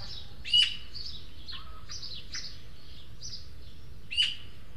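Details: Juvenile Eurasian magpies at a feeder in the Huerto de El Retiro, Madrid, three young birds seeking food, two begging from a more developed one: harsh broadband squawks scattered across several seconds, two louder bursts standing out, steady background hum.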